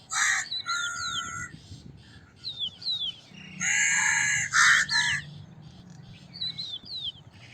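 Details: Crow calling with harsh caws, including one long rasping caw in the middle, amid frequent thin, sliding chirps of small birds.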